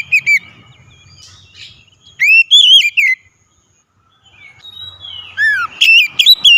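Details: Oriental magpie-robin song used as a lure to make a reluctant bird sing: loud, clear whistled phrases with rising and falling slurred notes in two bursts separated by a quiet gap, with faint low background hum.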